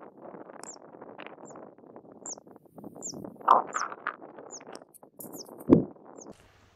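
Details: Zitting Cisticola singing beside the path to a high-tide roost in Friesland, Netherlands, where it is a rare visitor. Sharp, very high zip notes repeat about every 0.7 to 0.9 seconds, eight in all, over a broad low rumble with two dull thumps.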